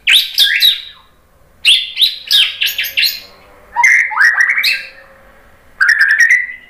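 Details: White-rumped shama, known as murai batu, reacting to a lure recording with high buzzy chattering bursts followed by fluid rising whistled runs, phrases separated by brief pauses.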